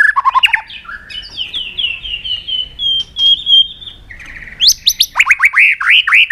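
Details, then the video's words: White-rumped shama, made to sing hard in a fighting song while flicking its tail on its perch during training. Quick bubbling notes, a series of repeated clear descending whistles, then fast rising slurred notes. "Chòe Lửa Đánh Đuôi Sàn Cầu Kích Lửa Hót Căng. luyện Chòe lửa hót đấu."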